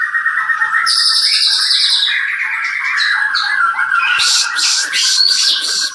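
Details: Caged white-rumped shama from a Klaten bird breeding farm singing a rich medley: high ringing whistles over a steady warble, then a run of sharp, very high repeated chirps near the end.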